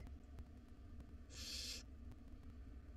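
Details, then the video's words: A single harsh, airy hissing screech of about half a second comes from one of five hungry wild barn owl nestlings in a nest box at dinner time, over a quiet low hum. "Dinner time for 5 hungry barn owl nestlings."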